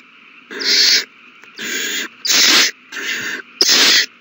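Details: Young owls begging during a large feeding on March 27, 2020: five noisy, breathy screeches of about half a second each, alternating louder and softer, separated by short silences.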